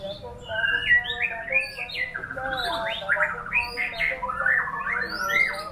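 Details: Performing white-rumped shama (murai batu) pouring out mellow rising and falling whistles in a luxurious rhythm, phrases linked without breaks, with faint level tones in the background.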